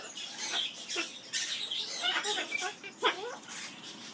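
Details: Captive Amazon parrot at an aviary singing its skimmeradinkadinkadink song: a run of harsh, squeaky chattering syllables with some whistled, sliding notes and broad noisy bursts, voice rising and falling irregularly.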